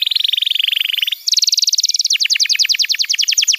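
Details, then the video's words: Canary song used as a tutoring and trigger recording for young canaries: a rapid buzzy trill of repeated notes, a brief pause, then a higher, faster rattling trill that breaks into separate downward-sweeping notes. "Masteran Kenari PAUD & Pancingan Kenari MACET BUNYI‼️"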